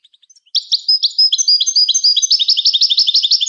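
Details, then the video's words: Goldfinch training song: after a few soft ticks, a continuous loud twittering stream of rapid, repeated chirps and buzzy trilled notes with a bright, metallic tone. "The Art of Goldfinch Singing"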